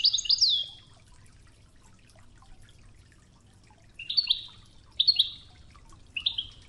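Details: European goldfinch, Ouidane style training song with flowing river water: a sharp, high twittering phrase opens, then after a pause three short clipped trilled bursts about a second apart, water trickling quietly throughout.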